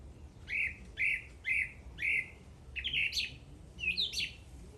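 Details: Singing bird repeating a bright, slightly buzzy chirp about twice a second, four times, then faster, more complex chattering notes, over quiet background.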